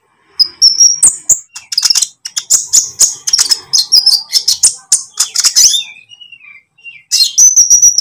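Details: Lovebird song used as a training lure, green or pied form: continuous fast, shrill twittering with sharp clicks and short whistled notes, a brief pause near the end, then more high chatter.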